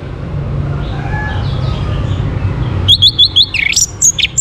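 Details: Quiet low background noise gives way to a rapid run of high, varied whistled and slurred notes from an orange-headed thrush, its song meant to stimulate other birds to sing.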